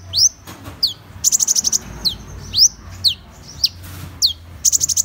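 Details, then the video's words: Van Hasselt's sunbird (Leptocoma brasiliana) sings thin, very high notes: sharp rising upslurs mixed with quick bursts of five or six rapid ticking notes, all piercing and bright. "Tiếng chim HÚT MẬT 7 MÀU chuẩn ✅Van Hasselt's Sunbird(Leptocoma Brasiliana)"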